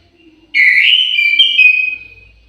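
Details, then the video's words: Orange-headed thrush in an aviary giving a single clear whistled phrase, sharp onset then a sustained, slightly wavering note that fades after about one and a half seconds; otherwise quiet. "KICAU MERDU BURUNG ANIS MERAH"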